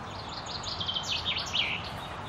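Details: Chaffinch song recorded in May 2016 at the Akulovsky waterworks, Korolyov: a soft run of high chipping notes dropping into a brief flourish near the end, partly masked by a steady low hum.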